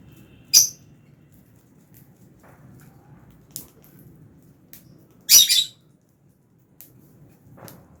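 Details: Fischer's lovebird in a simple aviary, housed with albino lovebirds and eating food. Two loud, harsh, high chirps about five seconds apart, with a few faint short calls between them over a low, quiet background hum.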